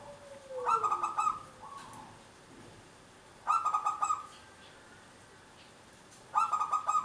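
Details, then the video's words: Singing local zebra dove used to coax other birds to sing; three rolling, pulsed coo phrases about a second each, spaced roughly three seconds apart, with a faint descending whistle at the start. "Perkutut lokal gacor untuk pancingan"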